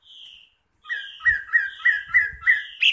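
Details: Wambi singing energetically, used as a lure and tutor recording: a soft whistle, a pause, then a run of about six bright, slurred whistled notes with a few low thuds underneath, ending in a sharper note.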